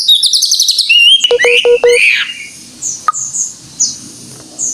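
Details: Greater green leafbird singing full gacor. Very high rapid trilled notes open the phrase, then lower ringing whistles and sharp clicks. Scattered thin high notes follow in a quieter stretch.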